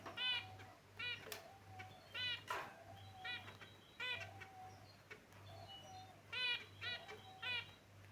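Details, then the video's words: Caged finches calling and playing, giving short nasal chirps with stacked harmonics in quick clusters, several calls per second in bursts, with a steady low hum underneath. "Beautiful Finch Birds Chirping Sound"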